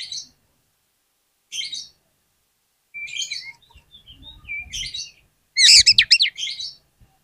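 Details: Oriental magpie-robin lure song to set other magpie-robins singing: spaced short scratchy phrases, a few soft whistles, then a loud burst of rapid twisting warbled notes, with faint low rustling.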